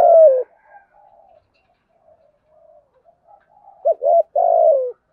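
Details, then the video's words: Spotted dove cooing, a lure voice meant to draw other doves in quickly: low, mellow hooted notes, a loud opening coo, then a soft murmuring pause and a pair of short coos ending in a longer falling coo. "Tiếng chim cu gáy thổ thúc gù + kích bổi rất nhanh nổi, giọng hợp bổi nhanh về cội"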